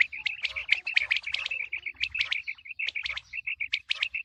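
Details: Quail calls offered as a sound for the coming wheat season: rapid, short, high pips on one steady pitch, repeated several times a second, mixed with sharper chirps and brief buzzy notes from other callers.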